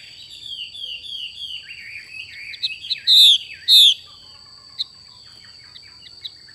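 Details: Female Chinese hwamei uttering a xùy call: soft twittering chatter builds into two loud, downward-sliding whistles, followed by scattered quiet chips, over a constant high-pitched hum.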